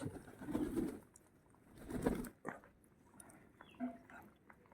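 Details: Pigeon cooing: two low, rolling coo phrases early on, then a softer coo near the end, with faint room noise and scattered knocks between calls.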